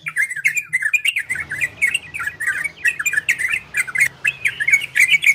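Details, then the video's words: Ropel and garudo style song of the orange-spotted bulbul, played to arouse breeding condition in other birds; quick chirping warbles repeated without pause, brief rising and falling slurs, clicking noises, and a low background hum. "Suara Trocokan Ropel dan Garudo"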